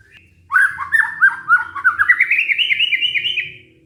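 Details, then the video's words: White-rumped shama lure song used to encourage a stressed shama to sing again: a quickening series of whistled notes that rises steadily in pitch for three seconds, then fades. "pancingan murai batu macet bunyi karena stres"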